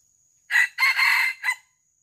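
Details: Junglefowl lured in the wild for live capture, crowing close and loud: a brief hoarse opening note, a longer harsh middle phrase, and a clipped final burst, the whole crow lasting just over one second against silence.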